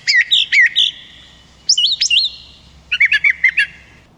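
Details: Brown Thrasher song, possibly played back from an app rather than live, heard at a state park in mid-June heat: three quick, varied phrases, each a rich, slurred whistle or chirp repeated two to four times, with short pauses between.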